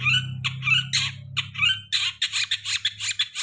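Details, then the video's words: Long-tailed shrike lure song for birds after moulting: squeaky, rising notes give way to a quick series of harsh rasping bursts, over a steady low hum. "Pancingan cendet habis mabung pasti bunyi"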